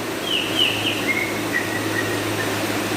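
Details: Song of a cililin, used as training audio for teaching songbirds: a high whistle gliding downward into a series of lower, short clear whistled notes, set against constant low hiss.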